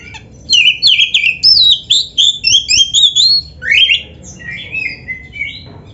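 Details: White-rumped shama (kacer), caged-bird training recording, delivers a string of squeaky, rapidly alternating whistled notes in short bursts, fading into softer twittering near the end.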